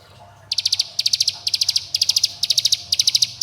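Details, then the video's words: Bar-winged prinia lure call for young birds, meant to call companions and rile rivals: brief silence, then a run of high, clicking four-to-five-note bursts spaced about half a second apart. "Pancingan Cigun Bren Rapat Agar Ciblek Gunung Muda Bahan Ikut Bunyi Gacor dan Ngebren"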